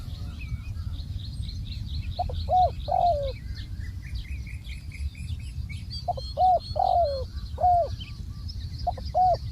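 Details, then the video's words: Spotted dove decoy placed on the ground, cooing in two phrases: clipped low notes leading into a longer, descending hoarse coo, then a few extra coos; a chorus of high twittering birds in the background. "ต่อนกเขาใหญ่ EP58 นกเขาใหญ่ต่อดิน"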